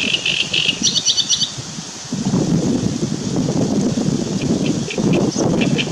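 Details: Great reed warbler (Acrocephalus arundinaceus) song, 2 June 2017. It opens with a rapid run of harsh, grating notes repeated in a chattering phrase, then is mostly drowned by a heavy low rumble of wind or traffic.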